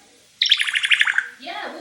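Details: Indoor pet male African grey parrot makes a quick run of about ten high chirps over a background hum, followed by a person's voice.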